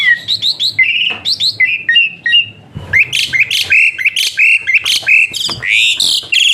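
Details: Energetic song of an Asian pied starling, played to teach other birds and encourage lazy singers: quick whistled phrases building into a dense stream of squawky, chattering notes and sharp upslurs.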